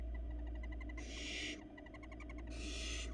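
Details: Two loud hissing screeches from barn owl nestlings begging while the female feeds them in a Florida nest box, separated by bursts of fast, regular clicking ticks and an underlying low hum.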